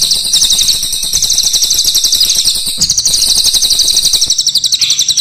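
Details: Crested jay, black and brown forms, in full voice giving long rolls: a dense, buzzy mechanical rattle of very rapid pulses, high-pitched, held for nearly three seconds, then breaking briefly and restarting for another long run.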